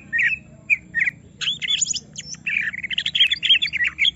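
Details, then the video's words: Greater green leafbird in an agitated state after being set next to a rival, singing short chattering phrases that build into dense, buzzy trilled notes at the end. "Semua Cucak Ijo Langsung Emosi Bongkar Isian mendengar suara Cucak Ijo lagi di Trek Emosi ini"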